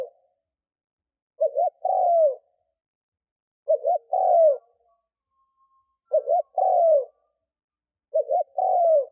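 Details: Decoy spotted dove cooing to entice wild doves. After a brief fragment come four phrases, each made of two short notes and a longer descending coo, repeating roughly every two and a half seconds. No other noise is heard.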